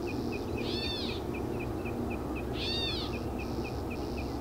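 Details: Gray catbird recorded on May 31, 2015, giving two nasal, slurred, cat-like mewing calls over a steady series of quick, high ticking notes and a low background rumble.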